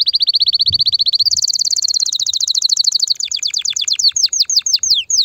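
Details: Loud canary song to ready females for mating and nest building: a long steady trill, then a higher rapid rolling trill that slows into separate descending sweeps.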